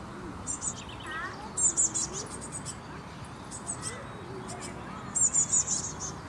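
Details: Blue tit fledgling waiting in bushes for food gives very high, thin, rapid chirps in bursts of three or four, repeated every second or so over a steady rushing background.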